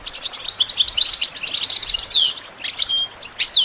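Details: Song of a European goldfinch, used to train songbirds: a fast, liquid twitter of tinkling notes that runs into a dense buzzy trill, then a few sharp, descending whistled calls after a brief gap.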